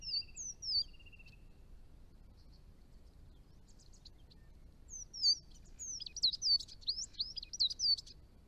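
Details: Chestnut-rumped Thornbill at the edge of its range in northern Victoria, by garden ponds: very high thin slurred whistles, a few notes early, then a rapid run of twisting high notes toward the end.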